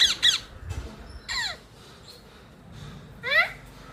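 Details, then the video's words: Rose-ringed (Indian ringneck) parakeet recorded from a terrace in Sahakarnagar, Pune; harsh, grating screeches with falling sweeps, two quick squawks at the start, another burst mid-clip and a last rasping call near the end, in a quiet background. "Indian Parrot / Parakeet"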